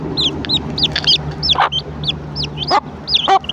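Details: Hen clucking to call her chicks to breakfast: low, short broadband clucks spaced irregularly, under a steady stream of high, thin, arched chick peeps.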